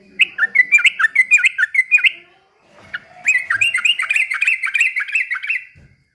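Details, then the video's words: Trucukan singing energetically in captivity, imitating white-rumped shama: a quick chain of about ten repeated slurred whistles, short pause, then a longer dense run of bright, rapidly repeated chirping whistles ending abruptly. "KICAUAN TRUCUKAN GACOR BER SUARA MURAI BATU"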